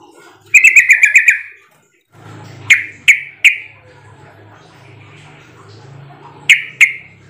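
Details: Call of a sooty-headed bulbul, played to draw answering calls from other birds. An opening run of quick sharp notes is followed by single spaced chirps and a closing pair, over a low background hum.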